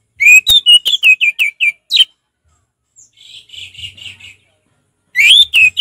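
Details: Loud, rapid series of clear whistled notes from an orange-headed thrush in easygoing 'ngeplong' song, each note slurring downward, followed by soft chattering notes, a silence, then more strong whistles.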